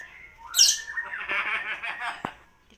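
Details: Common hill myna copying speech and coughing, such as Assalamualaikum: a brief rising whistle, then a loud rasping burst and a buzzy, voice-like phrase ending with a sharp click.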